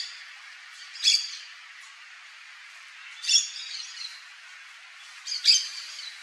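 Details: Yellow-chevroned parakeet (Brotogeris chiriri) giving three sharp, shrill squawks about two seconds apart, high and harsh with a brief fainter chatter after each; background otherwise quiet.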